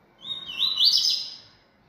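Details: Yellow-bellied seedeater (coleiro-baiano), a bold bird singing a lot, gives one high buzzy phrase that starts as a thin whistle and rises into a dense warbled trill lasting about a second. The background is quiet.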